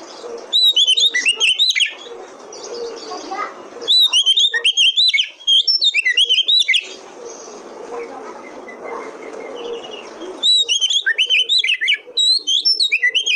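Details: Kacer (Oriental magpie-robin) trigger song meant to prompt untrained birds to sing, with three loud bursts of rapid, high, twittering notes, each a dense run of short chirps, separated by quieter pauses with a low hum.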